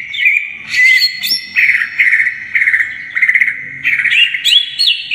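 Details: Greater green leafbird pouring out full isian gacor song as masteran tutor audio: continuous ringing whistles with rising slides, sputtering trilled bursts repeated every half second or so, and a few high squeaky notes.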